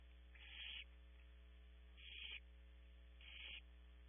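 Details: Barn owl owlets begging at a nest cavity at Audubon Starr Ranch, California: three rasping, breathy hisses that swell and cut off, spaced about one and a half seconds apart, with a low constant hum underneath.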